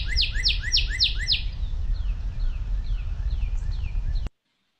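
Northern Cardinal song: a rapid series of loud, clear slurred whistles, about four per second, then a softer, slower run of the same notes, over low background rumble.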